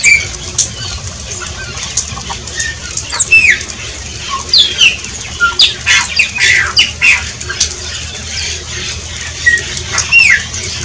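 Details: Shiny cowbird singing: a busy run of bubbly, gurgling notes mixed with sharp high chirps and short descending whistles, in bursts throughout, over a steady low background hum.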